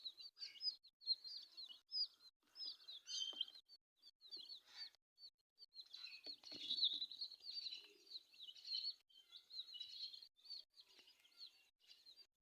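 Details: Quiet high peeps from colourful chicks come in scattered bursts, mixed with soft knocks and rustling, and grow denser toward the middle.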